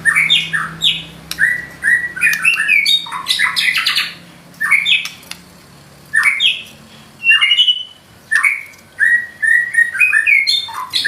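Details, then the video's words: White-rumped shama singing loudly with learned imitations: clustered phrases of chattering, buzzy and whistled notes repeated in bursts every few seconds, with brief gaps between. "Murai batu nembak isian gacor"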